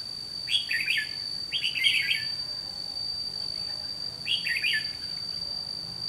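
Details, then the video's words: Trapping decoy red-whiskered bulbul repeats a loud, choppy warbled phrase three times, the first two close together and the third after a pause of over two seconds, while a thin high whine runs throughout. "Bẫy chào mào Mồi Má lỡ ra trận gặp ngay hàng Cứng"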